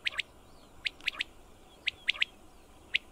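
A common quail gives its liquid, clipped three-note call, 'wet-my-lips', repeated about once a second over a faint background hiss.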